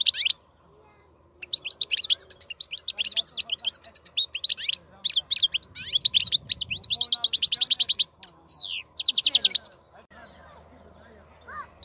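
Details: European goldfinch, a wild-caught bird called an excellent, powerful songster, singing rapid liquid twitters and chirps that build into dense buzzy trills, then a short pause and a few high notes near the end.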